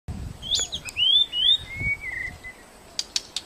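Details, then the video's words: White-rumped shama singing in a protected forest: clear, sweet whistled phrases slurring up and down, a long falling whistle, then a few sharp clicks, with faint low rustling behind. "Murai batu gacor #kicau murai batu ekor sedang di hutan lindung"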